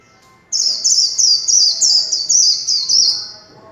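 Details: Warbling white-eye in líu chòe style, a kept songbird pouring out a dense, high-pitched stream of rapid slurred twitters for about three seconds before fading.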